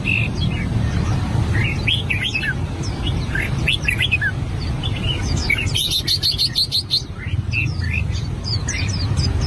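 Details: Red-whiskered bulbul with albino plumage rehearsing: scattered whistled notes and chirps, a dense clipped burst about two-thirds through, set against heavy low rumbling noise.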